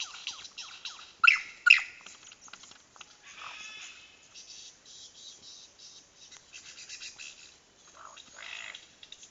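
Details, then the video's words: A lyrebird in Dandenong Ranges National Park, apparently courting, mimics laser-blaster sounds. It gives quick falling "pew" sweeps and two loud sharp zaps, then a run of softer, varied chattering imitations. "Lyrebird trying to woo making blaster noises"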